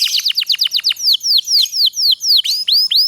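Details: Canary singing a long roll, played to get reluctant canaries singing: rapid steep downward-sweeping whistles, about eight per half second, slowing into spaced rising and falling slurred notes; clean recording with no other sounds.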